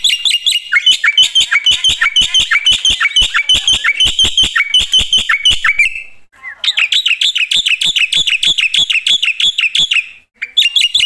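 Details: Black-winged myna singing loudly in full voice, a dense run of sharp harsh chirps repeated about three per second, mostly high-pitched, with a brief pause near six seconds before the rapid chatter resumes.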